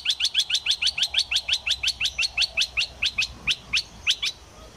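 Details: Caged decoy Olive-winged bulbul used in trapping, pouring out a fast, even string of sharp chirps, about four per second for nearly five seconds, slowing slightly toward the end.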